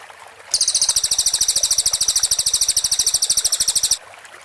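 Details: Cililin close-shot song, 'tembakan rapat', recorded cleanly as a master for white-rumped shamas: a single bright, high-pitched, dense trill of rapid identical pulses lasting about three and a half seconds between quiet gaps.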